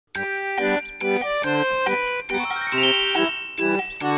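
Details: Bright chiming jingle music, with no animal voices.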